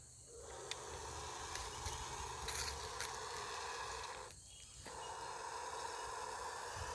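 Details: A male bush stone-curlew guarding his mate and two chicks from a passing person and dog gives a harsh, rasping hiss-growl, sustained about four seconds, breaking briefly, then resuming.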